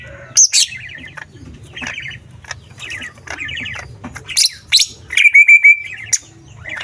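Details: Male green leafbird from Kalimantan used to spur rival leafbirds into song; bright chirps and fast trilled phrases in bursts, then a cluster of loud sharp notes and a thin whistled slur, steady low hum beneath.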